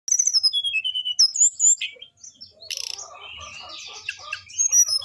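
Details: Orange-headed thrush song used as a training recording for caged birds, meant to prompt reluctant birds to sing: high sliding whistles and sharp chirps at first, then a busier, buzzy, scratchy varied phrase with warbled notes.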